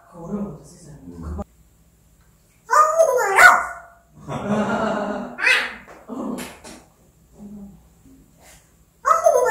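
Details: Talking African grey parrot giving a string of mimicked speech phrases: sharp bright syllables, a long broad raspy burst, then softer voiced sounds and a final loud phrase after short pauses.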